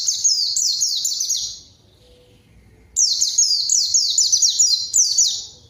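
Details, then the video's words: Lure song of a white-eye, meant to provoke a rival and make quiet birds sing: shrill, fast cascades of downward-slurring whistles in two energetic bursts separated by a short pause. "PANCINGAN PLECI GACOR MANGGIL LAWAN COCOK UNTUK PLECI DIAM AGAR CEPAT BUNYI DAN GACOR"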